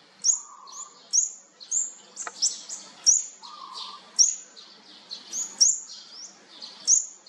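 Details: Young olive-backed sunbirds from a fourth brood calling at feeding time, giving high, piercing tweets in quick uneven series, close together, with faint lower notes now and then.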